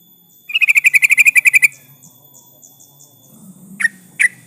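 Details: Lure recording of a vigorous yellow-vented bulbul calling a rival: a quick rattling trill of about twelve clipped notes, faint soft chirps, then two sharp chip calls.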